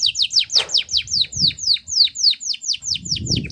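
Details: Atlantic canary pouring out a steady run of bright downslurred chirps, about four each second, high and clear over slight low rumbling; played to prompt canaries that stopped singing.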